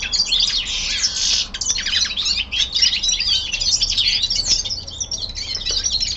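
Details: Home-kept young male common linnet in winter descant, pouring out high twittering and chirping notes with a buzzy stretch near the start, then quick note clusters separated by short pauses.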